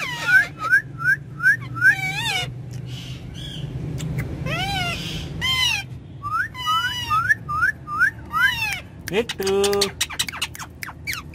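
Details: Ringneck parrots talking in a car: a string of short repeated upward whistles, a pause of squawky chatter, another run of whistles, then a nasal harmonic squawk, over engine hum.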